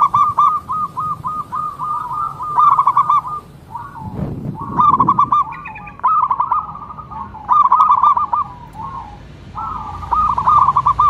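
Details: Local zebra dove singing a long sequence of rapid stuttering coos broken into phrases, with some rolling trills; a brief low thump and rustle interrupt midway.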